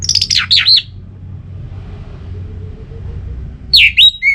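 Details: Orange-headed thrush song meant to stimulate kept birds: a rich, buzzy whistled phrase with rising and falling notes, a long pause over low hum, then a shorter run of sliding whistles.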